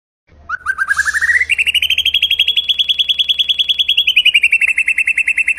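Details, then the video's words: White-rumped shama song for other birds to copy: a long, fast trill of clear repeated notes that climbs steadily in pitch, holds high for several seconds, then dips slightly, in a clean recording. "Masteran murai batu ful tembakan kicau prestasi jernih mudah di tiru"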